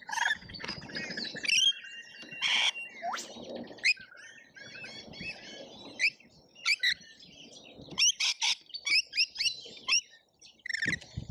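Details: Lorikeets mob a feeder in Australia in a feeding frenzy, filmed on a feeder camera. Continuous screechy chattering and squeals mix with sharp chips and intermittent low rustling and knocking.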